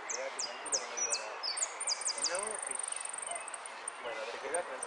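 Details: Saffron finch at a Zona Norte singing contest, 01 11 15, third place in the yellow 'sin cierre' class: several fast high sharp descending notes early on, over constant chatter of people talking nearby.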